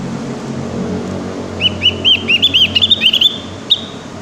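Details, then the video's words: Learning Javan grey-throated white-eye delivers a halting phrase of high, arched chirps, roughly ten notes clustered together, then one isolated note, over a constant low traffic-like hum. "Suara burung opior jawa Yang sedang belajar bunyi"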